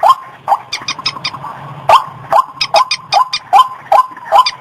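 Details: A white-breasted waterhen's lure call, with loud, rising croaked notes about every third of a second. Thin rattling clicks are interleaved, and a faint low hum runs underneath.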